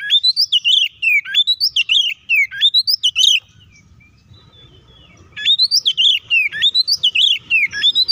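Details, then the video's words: Rapid fighting song of an Oriental magpie-robin, intended to make other magpie-robins aggressive: repeated rising-then-falling whistled phrases in quick succession, a two-second pause with low rumbling, then the same energetic whistling returns. "KACER GACOR NGEPLONG TARUNG KONSLET❗PALING AMPUH BUAT PANCINGAN KACER AGAR EMOSI!"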